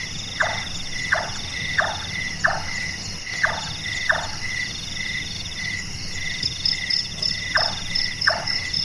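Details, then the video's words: Large-tailed nightjar, called burung tukang for its hammering voice and active after dark, knocking six times at an even pace, pausing, then adding two more chonks; crickets and insects buzz continuously. "Burung Tukang,Burung Tukang Kubur,Burung Malas"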